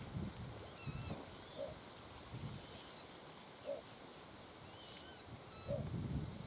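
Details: Little bittern at RSPB Lakenheath Fen, Suffolk, 27 May 2015 around 4:32 pm, gives a short, deep, gruff croak about every two seconds. Faint high calls of other birds, including coot, and low wind rumble sound behind.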